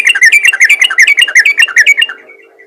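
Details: Rapid bubbling chatter of a yellow-vented bulbul, a 'ropel ngalas' call meant to draw other bulbuls, fast twittering notes for about two seconds before fading into a soft trailing note.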